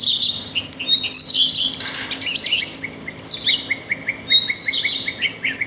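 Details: Sparrows chirping in nature, a busy tangle of high twitters at first, then a neat series of short, evenly spaced lower chirps repeating about twice per second.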